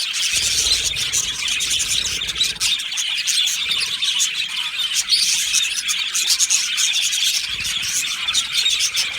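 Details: Colony of Australian budgerigars in an aviary, 15 July 2025: a thick, lively chorus of high squeaky chirps and twitters, many birds calling together throughout.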